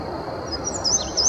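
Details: A male indigo bunting sings from the treetops in early May 2019 at Sandy Bottom Nature Park, Virginia. Brief, thin high whistles lead into a couple of quick down-and-up paired notes near the end.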